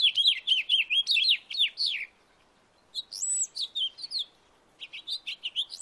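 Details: House finch singing in a backyard: a lively, warbled run of high chirps and slurred notes in three bursts with short pauses between them.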